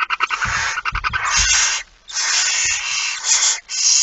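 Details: Barn owl begging at feeding time on 13 September 2019 at 06:57: dense, overlapping rasping hisses run almost continuously, broken by brief pauses, with soft low thumps and knocks underneath.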